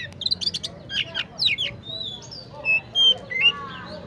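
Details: Fighter Oriental magpie-robin (kacer gacor) singing: fast clusters of sharp chirps and buzzy notes, then clear sustained whistles and slurred phrases, loud and varied, with low background hum.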